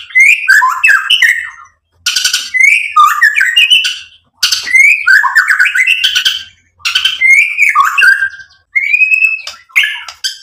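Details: White-rumped shama song used as a lure for other songbirds: five energetic phrases mixing rich whistles, buzzy rattles and quick chatters, separated by short silences.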